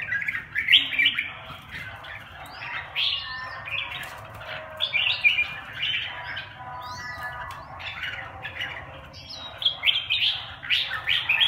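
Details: Red-whiskered bulbuls bullying each other in a long, dense stretch of overlapping chirps, short whistles and harsh notes, with occasional louder rising phrases throughout.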